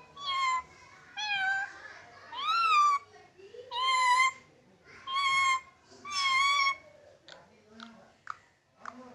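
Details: Pet Indian green-necked ringneck parrot talking in a cat's voice, calling miaoon: six drawn-out, harmonic meows roughly one per second, some rising then falling, followed by a few short clicks and soft chirps in a small room.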